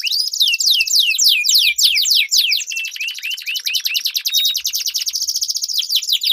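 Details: Canaries dueling, a training lure for competition birds: a series of fast descending slurred notes leads into a long rolling trill with short upward whistles overlaid, ending in rapid rhythmic pulses.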